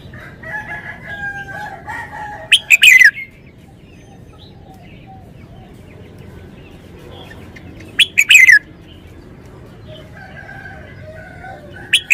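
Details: Caged red-whiskered bulbul repeating loud, warbled wild-style song phrases (phleng pa) roughly every five to six seconds, each a quick burst of clear rising and falling notes, with faint chirps of other birds in the background.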